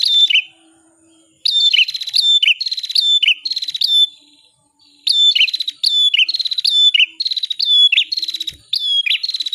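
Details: Bar-winged prinia song for masteran bird tutoring: bursts of rapid buzzy, rattling high notes, each ending in a sharp downward slur, two bursts split by a second of silence.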